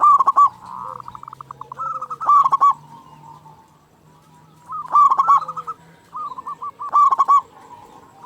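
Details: Frequently calling local zebra dove from Indonesia, used to rouse shy doves into calling: loud staccato coo bursts every two to three seconds, softer trilling between, over a faint low hum.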